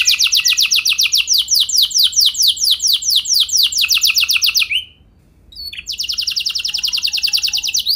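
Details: Canary song meant to get other canaries singing long rolls: a loud, steady, fast trill of repeated slurred notes lasts about five seconds. After a brief silence, a new rapid trill begins.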